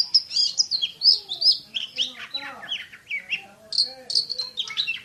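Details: Champion kacer (Oriental magpie-robin) in a dense, fast 'tembakan' song of high whistles, sliding notes and buzzy chatter delivered with very short gaps.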